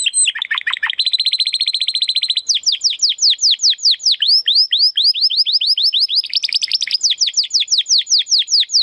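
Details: Captive male Timbrado Español canary, a 2020-bred singer, performing a training song: dense rattling trill followed by a long sequence of clear downslurred whistles delivered several per second.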